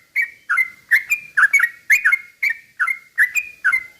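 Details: Sooty-headed bulbul singing slow, continuous ropel-style phrases used to stir other bulbuls into agitated song; bubbly two-part whistled notes repeated about twice a second, alternately falling then level, clean background.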